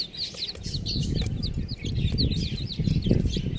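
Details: Chicks cheeping with rapid strings of high, falling peeps, nearly continuous, partly masked by loud low rustling and scuffling close to the microphone.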